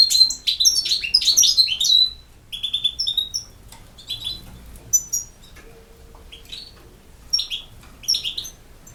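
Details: European goldfinch delivering campero-style song, an intense run of twittering and whistles at first, then scattered short chirpy phrases separated by pauses.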